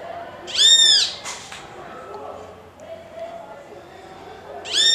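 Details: A great kiskadee calling to another of its species gives two loud, harsh, nasal calls about four seconds apart, with a quiet background murmur between them.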